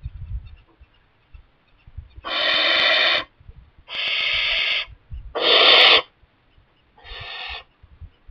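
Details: Young barn owl in a kestrel nest box, parents bringing mice, gives four separate rasping hisses, each under a second, spaced about one and a half seconds apart, the last softer, with faint rustling.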